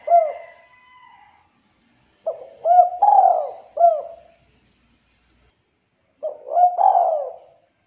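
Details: Spotted dove with a thick, clear voice: the end of one phrase, then a full phrase of stuttered notes, hooked coo, long falling coo and hooked final note, and the start of another after a pause.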